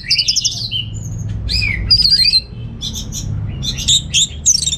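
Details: North Bali orange-headed thrush kept for contests sings short scratchy phrases and descending whistled slurs, then rapid stacked chirps, all over a soft low drone.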